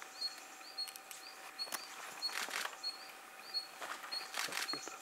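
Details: A Taiga flycatcher in Thailand, identified as a red-gorgeted flycatcher, gives thin, high, slightly upslurred notes about every half second, over sharp clicking bursts and soft background hiss.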